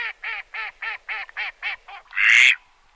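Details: Farm duck giving a run of eight evenly spaced, nasal quacks, each arched and harmonic, slowly fading, then ending with one louder, harsher, rasping quack.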